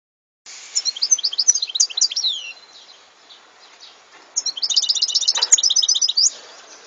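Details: European goldfinch singing, recorded in 2014: two bursts of rapid, tinkling, twittering high notes with buzzy slurred elements, separated by a short pause, over faint background hiss.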